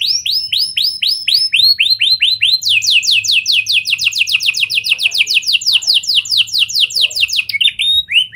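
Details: Lure song from a canary with a lovebird and prenjak style, played to get other canaries singing at length: downslurred whistles several per second shifting into a long, dense, very rapid high trill, ending in brief twittering notes.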